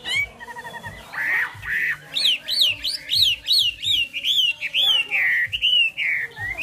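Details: Chinese hwamei singing: loud, varied whistled phrases, opening with low buzzy notes, then a fast run of rising and falling slurred whistles, about two per second, each note clear and sweet.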